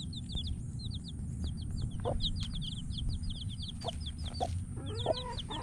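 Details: Baby chickens just over a week old give rapid runs of thin, high, falling peeps, sometimes overlapping, above constant low-pitched background hum and occasional clicks.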